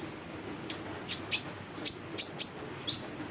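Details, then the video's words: Female brown-throated sunbird, used to stimulate untrained young birds: a few sharp, very high chirps and downslurred notes, roughly twice a second, separated by short silences. "Konin betina gacor buat pancingan konin bahan"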